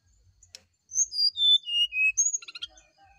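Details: Descending whistled song of a brown-chested jungle flycatcher at morning, used to coax a response, with clean notes dropping step by step and a buzzy chattering burst at the end.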